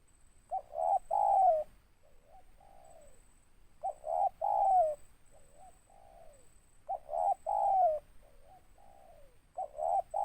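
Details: Spotted dove, a local tekukur with a big, scraping voice and a trailing ending, cooing in a repeated phrase: two short notes then a long downslurred coo, followed by softer wavering notes, cycling about every three seconds. A faint steady high tone persists.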